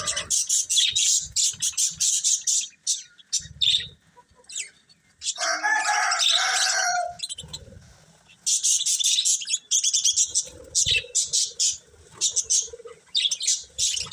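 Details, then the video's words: Colourful pet budgies in loud sustained chatter: rapid scratchy high chirps, a harsher squawking burst in the middle, then more fast chirping runs with brief pauses. "Cute Colourful Budgies Chirping Sounds"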